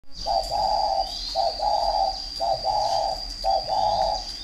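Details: Spotted dove of the fighting (chọi) type from a bird garden in Ba Vì, Hanoi, Vietnam, cooing four times: each phrase a short low note followed by a longer hoarse coo, roughly once a second, over a steady high whine.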